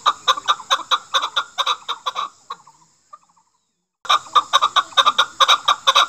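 Chukar partridge giving a fast run of harsh, clucking chuk notes, about two a second, then a brief pause before the chattering series starts again.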